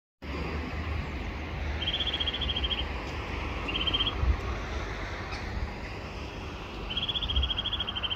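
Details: Eurasian nuthatch (wood nuthatch) singing: three fast, even trills of repeated whistled notes, each lasting about half a second to a second, separated by pauses, over a steady low rumble like distant traffic.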